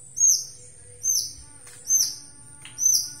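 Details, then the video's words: White-rumped shama of the Aceh type, described as highly vocal, repeating a high, sharp, arched whistled note four times at roughly one-second intervals, with a few soft ticks between and a faint low hum behind. "MURAI BATU ACEH PALING GACOR DI DUNIA"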